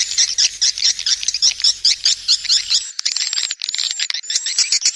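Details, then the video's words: Swiftlets calling, used to attract the birds: quick, evenly spaced high chirps, roughly two a second, giving way to thinner whistled squeaks and twitters after a short gap. "Panggil burung walet suara panggil"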